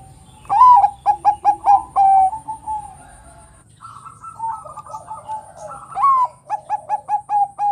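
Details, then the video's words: Bangkok-type zebra dove in full ngerot bekur song, meant to stir other doves to answer: two phrases, each a rising opening coo followed by a rapid run of short, evenly spaced coos, with softer overlapping cooing between phrases. "Suara PERKUTUT Bangkok Gacor NGEROT super BEKUR ini paling pintar membuat Kutut Lain BUNYI emosi"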